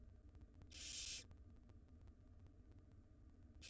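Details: Wild barn owl nestlings in a monitored nest box begging as their mother feeds them a jird: one harsh, broadband hissing screech of about half a second, then a second hiss starting at the end, over steady low hum.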